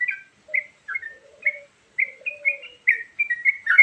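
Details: Varied filler song of a Yellow-vented Bulbul, used as a lure for catching birds: short bright chirped phrases with pauses between them and a soft lower gliding tone underneath.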